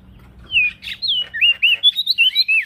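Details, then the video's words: Male prinia singing actively, recorded as a training song for other birds: a string of slurred, looping whistled notes, each brief and rising or falling, coming in quick succession after a short quiet start. "Prenjak daun Jantan gacor"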